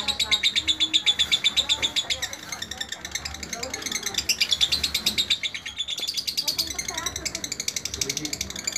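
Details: A lovebird kept as a tutor singer produces a fast, shrill, buzzing chatter of evenly spaced pulses, speeding up at times, with faint lower sounds behind.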